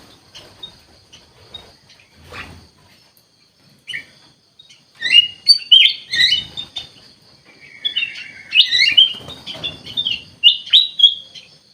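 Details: Kutilang emas bulbul singing actively, described as gacor: short whistled and slurred notes around mid-high pitch, sparse at first, then denser bright phrases in the second half with brief gaps between bursts.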